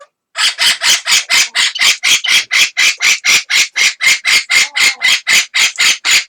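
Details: Two captive amazon parrots, one answering the other's calls, give a long, steady series of loud, grating squawks, evenly spaced roughly four per second and sustained for over six seconds without a break.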